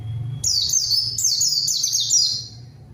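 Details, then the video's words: White-eye singing to lure a rival that responds and sings along: three quick phrases of high, thin whistles, each sliding downward in pitch, packed tightly one after another. "PANCINGAN PLECI GACOR MANGGIL LAWAN PLECI BAHAN LANGSUNG RESPON DAN IKUT BUNYI"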